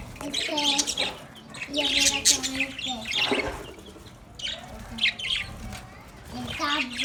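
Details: Several caged budgerigars, happy and playing, give bursts of bright high chirps and squeaky notes, mixed with lower harmonic warbling tones that come and go through the recording.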